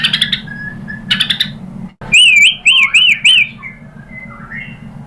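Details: Provocation recording of a white-rumped shama: a few sharp high chips, then a run of clear, wavering whistles rising and falling in a regular looping pattern, fading into softer notes, with a steady low hum beneath.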